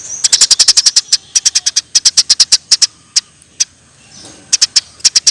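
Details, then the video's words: Eurasian tree sparrow chirping, meant as a tutor recording for caged songbirds: fast bursts of piercing high chirps in groups of three to six, brief pauses between runs, a quiet gap, then the rapid chirping resumes. "Kompilasi Masteran Burung Gereja Gacor"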